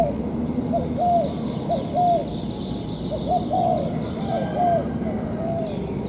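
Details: Spotted dove lured to a ground-decoy trap on a sunny day gives soft, low, arched coos, often in pairs, roughly every second over a steady low background rumble; owner notes it coos and calls in a low tone.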